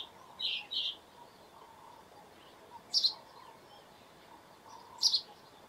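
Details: House sparrow calling with short, bright chirps, a pair close together near the start and then single chirps about two seconds apart, over a steady low background hiss.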